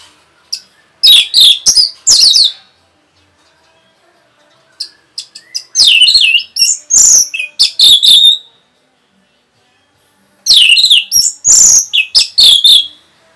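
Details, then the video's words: Rapid song of an Orange-headed thrush, used to excite other birds: three bursts of dense, high, chattering and whistled notes separated by pauses of about two seconds, with no other sounds. "SUARA RAPET ANIS MERAH BIKIN EMOSI BURUNG"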